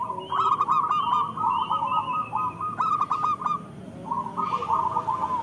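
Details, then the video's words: Zebra dove song used to coax lazy local doves into singing: long overlapping strings of rapid cooing notes with a few higher chirps mixed in, set against a dense background of noise. "Perkutut lokal gacor Suara Paling Banyak Dicari"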